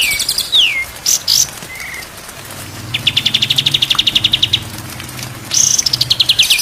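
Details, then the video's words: Training recording of white-rumped shama song: falling whistled slurs and a brief flat whistle, then a steady rattling series of rapid notes, ending with a loud descending sequence of buzzy phrases. "MASTERAN MURAI BATU SIANG dan MALAM DI JAMIN BURUNG JADI GAGOR"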